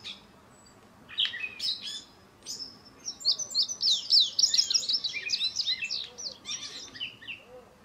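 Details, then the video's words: Indigo bunting still finishing its molt into breeding plumage, newly arrived this week, singing: a few scattered high chirps, then a fast run of high, sweet, paired and slurred notes lasting about three seconds. "Indigo Bunting Pays a Visit with a Song"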